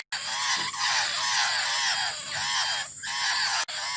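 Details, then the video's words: Several young laughingthrushes begging for their mother with rapid, curved, nasal calls in continuous overlapping runs, pausing briefly near three seconds; an even high whine persists. "Tiếng chim khướu non-Chim khướu non đòi mẹ"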